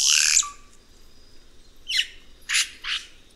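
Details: Red-rumped cacique (Cacicus haemorrhous) starts with a loud hissing rush ending in a short low whistle, then a pause and three grating squawks close together.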